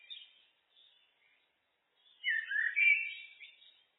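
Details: Common blackbird (Turdus merula) song: faint high twittering at first, a near-silent pause, then a loud, rich phrase of descending fluty whistles ending in a thin, squeaky flourish.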